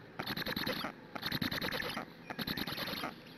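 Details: Black stork nestlings at a live-streamed nest in Hungary, 12 June 2017 at 08:21, begging for a long time until a parent arrives to feed them. Three bursts of rapid, raspy, hissing pulses, each lasting under a second.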